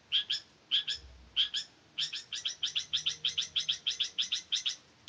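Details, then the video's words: High, clipped double notes repeated at a steady pace, forming a rapid ticking series across five seconds, from a vigorous male long-tailed shrike in Ngimbang, Lamongan. "Kicau burung cendet jantan gacor abis"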